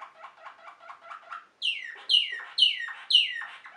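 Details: Waterslager canary, known also as Malinois canary, singing: a soft bubbling, gurgling trill, a short pause, then four loud falling whistled notes spaced roughly half a second apart.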